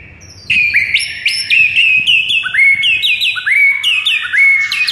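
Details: White-rumped shama singing in the morning: a lively run of rising whistled notes, each ending on a sustained tone, delivered in quick succession after a short quiet start.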